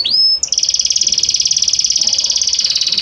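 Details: Belgian canary song with varied notes flowing gradually from one to the next: a brief upward-sliding whistle followed by a long, even, rapid rolling trill held at a steady high pitch.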